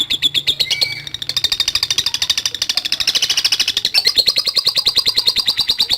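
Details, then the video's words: Lovebird chattering in a long ngekek, the ngetik style used as a pancingan to stir up fighter lovebirds: rapid harsh pulses, pitch lifting slightly in the middle, briefly softening near one second before resuming strongly. "Love Bird NGETIK Latah Gacor Ngekek Panjang | AMPUH Pancingan Love Bird Figter"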